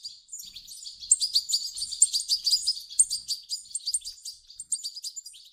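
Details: European goldfinch chicks calling for food, their begging used to get an adult goldfinch singing; busy high-pitched twitters rise in loudness after the first second, then run on in rapid clusters.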